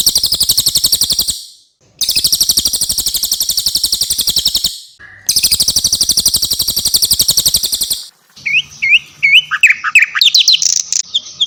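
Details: Javan white-eye and mugimaki flycatcher tutor song for cage songbirds. Three long stretches of very fast, harsh buzzing trills are separated by short silences, followed by a quick run of upslurred whistles and varied chirps.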